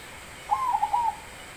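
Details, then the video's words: Zebra dove song phrase: a soft rising trilled coo drawn out and broken into three or four quick pulsed notes, clear over light background hiss. "Baron suara besar"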